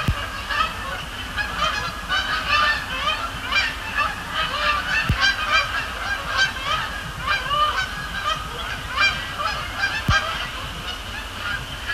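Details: Flock of Canada geese calling at night at Sapsucker Woods Pond, Cornell Lab of Ornithology; continuous chorus of overlapping harmonic honks for the whole stretch, with a low steady rumble beneath.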